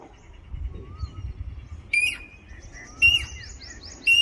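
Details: Jacobin cuckoo giving loud, sharp metallic whistles about once a second, over a background of other small birds chirping and twittering.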